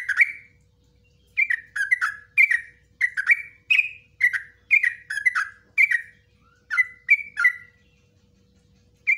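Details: Yellow-vented bulbul delivering long ropelan song with nguklik and ngecruk phrasing, meant for training bulbuls: after one opening note, a steady string of about a dozen short, gurgling, falling phrases follows at an even pace.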